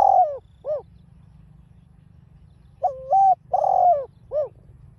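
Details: Spotted dove cooing, field-mixed voice, played to train and provoke a caged bird. Repeated phrases: a flat coo, a longer sliding coo, and a short dipping note, with a pause of about two seconds between phrases.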